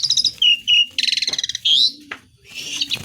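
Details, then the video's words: Mimicry-filled song of an Asian pied starling: sharp whistles, a long grating buzz, then a bright upslurred whistle, followed by softer chatter over a low repeated hum. "JALAK SUREN GACOR BESETAN ISIAN"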